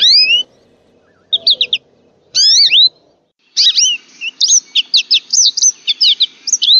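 An American Goldfinch sings high, bright rising slurs, then a quick run of varied twittering and sweet whistled notes; no other sounds.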